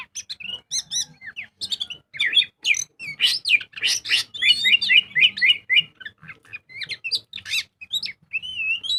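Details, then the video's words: Magpie-robin lure song, loud gacor ngobra style: a steady stream of varied notes, nearly four per second, mixing sharp chips, upswept whistles, raspy buzzes and fluid warbled phrases throughout. "Pancingan burung kacer gacor full ngobra"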